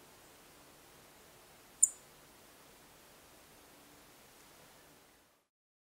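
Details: Song thrush call: a single very high, barely perceptible clipped 'sick' or 'sip', one thin instant note against faint background hiss; a call also heard from nocturnal migrants.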